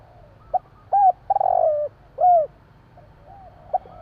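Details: Javanese tekukur, the spotted dove, at night: one cooing phrase of a brief note, a rounded coo, a long buzzy downward coo and a louder clear final coo, then faint echoing coos.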